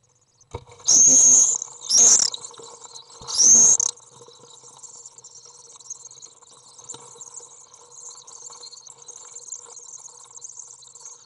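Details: Common swift nestlings, three young in a nest box, fed by the second parent on 22 June 2011: three loud, shrill, high buzzing bursts in quick succession, then a long stretch of soft, scattered high twittering.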